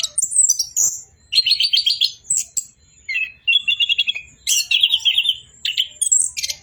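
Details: Orange-headed thrush in lively 'bocor' song. Fast trilled rattles repeat in several bursts, mixed with high sharp chirps and short whistles.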